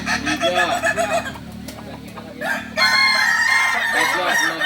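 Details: Crowing Kukuak Balenggek roosters, a singing breed from Solok, deliver bursts of curved, rising-and-falling notes, a short lull, then a loud chorus of overlapping crows.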